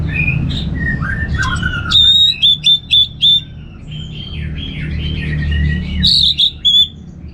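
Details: Orange-headed thrush in ngeplong song, varied whistled phrases: lower slurred notes first, then a quick run of loud, clipped high notes, a pause of softer twitters, and another loud burst near the end, over background hum.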